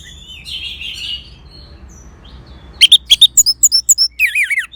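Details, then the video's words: Orange-headed thrush (anis merah), Geokichla citrina, on a caged-bird therapy track: a soft wavering warble, a quiet pause, then a fast series of sharp high chirps and loud looping, wavering whistles. "Suara ANIS MERAH"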